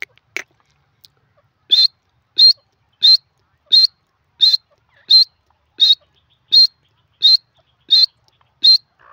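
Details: Desi teetar, grey francolin, giving a steady series of ten sharp high whistled notes spaced about two-thirds of a second apart, after a faint click at the start.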